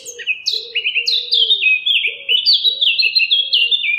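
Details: Clear, loud fluting phrases from a Eurasian blackcap, a series of stepped whistled notes dropping and rising in quick succession, accompanied by soft repeated cooing of a dove.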